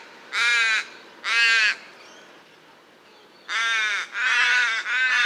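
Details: Common raven calling in a natural setting: harsh, rasping caws with rich harmonics, two separate calls followed by a close run of three, quiet gaps between.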